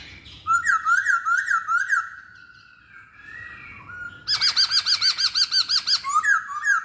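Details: Masked laughingthrush song: a run of bright, slurred whistled notes that rise and fall, a quiet gap, then a rapid, loud series of about fourteen looping notes. A final clear whistle closes the phrase.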